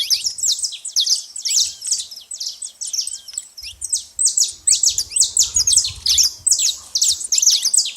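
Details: Rapid, unbroken chatter of high, ringing chirps from a saffron finch making plenty of noise at a bait feeder, with soft low background rumble.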